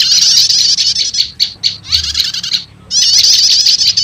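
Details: High rattling prinia trill, a few separate chips, a brief pause, then the trill resumes. Prenjak lumut mixed with prenjak setater, a lure that calls wild prenjak lumut.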